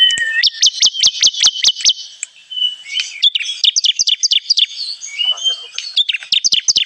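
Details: Bar-winged prinia lure call for trapping: a short whistle, then a rapid, even series of bright chirps, followed by jumbled chattering notes and thin whistles.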